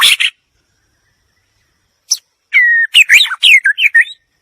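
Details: White-rumped shama singing: a short burst, a pause, then a run of loud varied whistled phrases with slurred rising and falling notes and buzzy flourishes.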